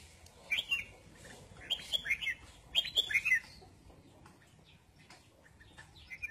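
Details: Red-whiskered bulbul singing while out in the sun: three short, bright warbled phrases of quick rising and falling whistles, spaced about a second apart, followed by quieter chirps and clicks in the background.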